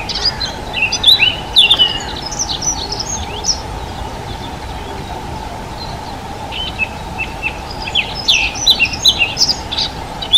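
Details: A Dunnock, shy songbird of Czech shrubland, delivers two rapid high-pitched warbling phrases separated by a pause of several seconds; a steady background hum continues throughout.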